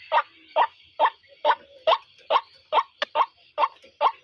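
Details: Steady, monotonous white-breasted waterhen calling, with short harsh notes repeated evenly about every 0.4 seconds, over a constant high buzzing background.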